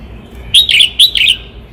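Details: Singing red-whiskered bulbul from Cao Bằng, Vietnam, giving two quick, loud phrases, each a pair of clear fluty warbles with a slight downward slur, separated by a brief pause.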